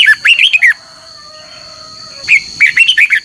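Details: Red-whiskered bulbul giving morning competitive duelling song, used as a decoy to train and stir other bulbuls to sing; two bursts of rapid, loud warbled whistles with double notes, separated by a pause with a faint steady hum.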